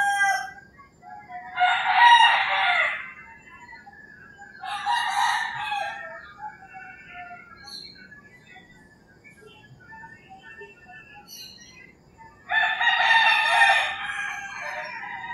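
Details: Early morning in rural Philippines, roosters crowing three times, each harsh broadband crow lasting one to two seconds with long pauses between, faint bird notes in the gaps.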